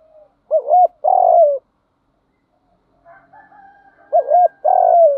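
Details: Spotted dove cooing, played to train decoy birds to coo: two phrases about three and a half seconds apart. Each is a quavering double coo followed by a long coo that slides downward. A faint bird calls between them.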